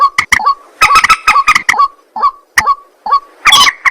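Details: Night calling of a white-breasted waterhen: rapid, rough croaks and nasal grunts, each note dropping slightly, delivered in uneven clusters with short silences between.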